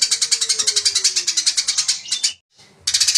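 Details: Fighting Eurasian tree sparrow, genuine voice: a tight run of sharp, high chirps repeated several times per second, cut by a sudden silence, then the fast chirping resumes.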